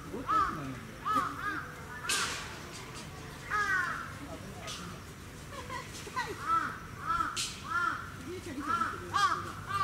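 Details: Captive Sarus cranes at a bird park in Gunma, Japan, 10 November 2018, trumpeting in short repeated arched notes at roughly one-second intervals, with people talking nearby.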